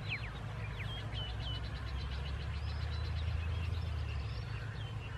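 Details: Eastern yellow wagtails (Motacilla tschutschensis macronyx) calling at Khao Yoi, Phetchaburi, Thailand, on 24 March 2021: several birds overlap in a stream of thin, high chirps and sweeping notes over a steady low traffic-like rumble.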